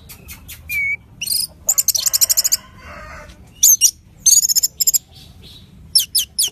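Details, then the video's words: Orange-headed thrush singing loudly, a lure recording to set a caged bird singing: sharp clicks, a brief whistle, then fast rattling bursts of repeated notes and high slurred whistles, with short pauses between phrases. "Anis Merah Gacor nyape Telerrr!!!"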